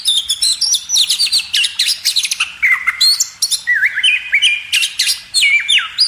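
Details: Magpie robin, a training recording for caged birds: rapid, bright whistled notes and harsher chatter, followed by stepped, descending whistle phrases.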